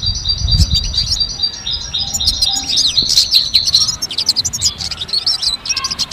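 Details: Wild goldfinch in continuous song: fast, tinkling high twitters mixed with short whistled tones and crackly buzzes, over a low rumble of background noise early on.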